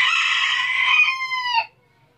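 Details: A rooster in Tabulahan, Mamasa regency, finishing a crow: a sustained harsh, buzzy tone that smooths into a clear, drawn-out ending and stops sharply, followed by quiet.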